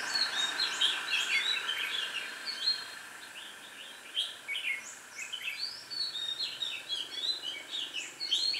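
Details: Red-whiskered bulbul acting as a lure for wild birds in a trapping session, 8 October 2017. Loud, bubbly whistled phrases tumble out steadily, roughly two a second, with a faint constant hum beneath.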